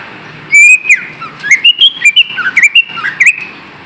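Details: Green leafbird singing a lure phrase meant to rouse lazy caged birds: a rapid, continuous chain of liquid whistles and chirps, swooping up and down around the same pitch band.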